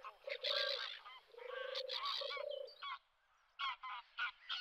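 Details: European turtle dove purring at RSPB Frampton Marsh reserve, taped from the car park, 26 July 2020. Three low, drawn-out purrs open the recording, with sharp chirping calls from other birds before and after.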